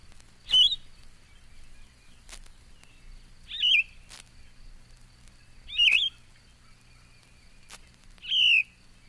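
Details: Yellow-throated Vireo singing, from a collection of eastern North American bird songs: four short, slurred, slightly burry phrases with pauses of about two and a half to three seconds between them, sharp clicks in the gaps, faint low hum.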